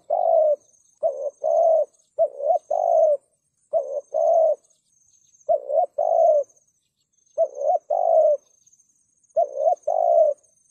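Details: Long run of a spotted dove's thúc gù coo, used to stir rival males: about eight low two-part phrases in quick succession, short note then longer level coo, over a thin steady high whine.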